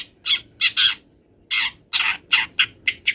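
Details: Long-tailed shrike, still molting, giving harsh rasping squawks, the first few in a quick cluster, then a pause and a regular run of shorter grating notes.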